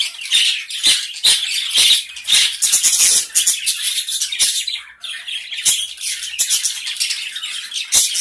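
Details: A small colony of grey Java sparrows keeps up a dense, high chatter of overlapping chips and squeaky notes, broken by sharp clicks and rattling knocks.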